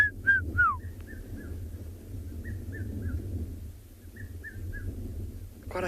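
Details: Red-chested cuckoo (Cuculus solitarius) calling from thickets around a clearing at dusk as last light fades, South Africa, 30 October 2020: two phrases of three clear, falling whistled notes over vehicle engine rumble, brief voice at end.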